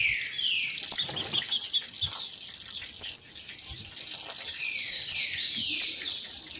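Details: Two female green-winged saltators singing, used to stir males into song, with waterfall sound added; faint descending whistled slurs recur irregularly, mixed with sharp high chirps over a steady hiss of rushing water.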